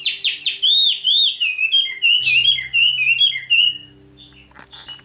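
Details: Caged decoy red-whiskered bulbul from Vietnam singing in challenge: a lively run of rolling, bubbling whistles repeated in short bursts for about four seconds, then quieter, with a low steady hum underneath.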